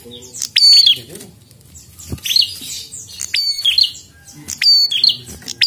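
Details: Prinia in persistent, lively song, used to test other prinias. Scattered high chirps and loud snapping clicks arrive in separate bursts about a second apart.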